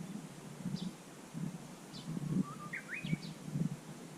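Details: Japanese bush warbler at Susan-ri, recorded 18 July 2020. A single clear whistled phrase starts low, climbs and twists upward, and ends in a few high notes. Faint high chips come earlier, under repeated low thumping rumbles.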